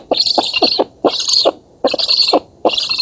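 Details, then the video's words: Black stork chicks begging during feeding in an oak nest in Poland, 11 August 2017, recorded by nest camera; four separate breathy, hissing bursts with rhythmic rasping beats, spaced by clear short silences. "Bociany czarne z Polski (dąb) 2017 08 11 Karmienie"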